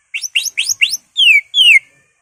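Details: Greater green leafbird singing a provoking song full of borrowed phrases: four quick rising chirps in a row, followed by two long clear whistles sliding downward.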